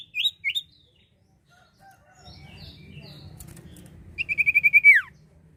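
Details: Common iora song played as a bird lure: two short curling whistles, quiet high chirps, then a fast run of about seven clear whistled notes ending in a falling sweep, over low rumbling background noise.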